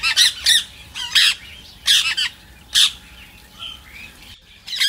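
Rose-ringed parakeet giving loud, harsh screeching squawks in short bursts, about seven in five seconds, with softer chattering notes between them.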